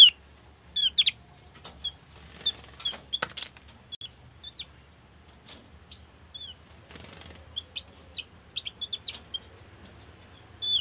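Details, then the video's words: Lure recording of a white-eye meant to set others of its kind singing: scattered short high chirps and downslurred whistles, some in quick clusters, with a faint steady high hiss and a few clicks. "PANCINGAN SUARA BURUNG OPYOR YG SANGAT AMPUH"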